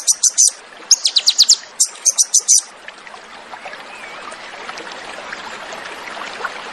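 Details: Crested jay in a fierce 'tembakan' song style, delivering several quick bursts of sharp, high, clipped notes over the first two and a half seconds, then a soft hissing background with faint scattered chirps.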